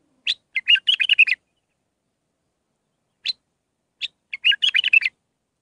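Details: Song of a bulbul in the Mandalawi style of six phrases, played for training young birds: a rapid bubbling warble, a pause with one short note, then another quick chattering warbled phrase.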